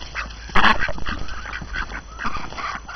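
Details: Hungry ducks let out after being cooped up on a snowy January morning; one loud harsh quack near the start, then softer chattering quacks from several birds, with low background rumble.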